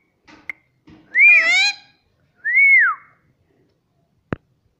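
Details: Pet rose-ringed parakeet at home, a talking bird, gives a soft crackle, then two loud whistled notes, the second arching up and sliding down, ending with a single click.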